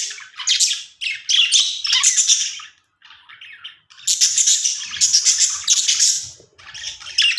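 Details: Pet budgerigars making happy sounds: dense, scratchy chatter and bursts of high chirps from several birds, with a short lull before the chatter resumes.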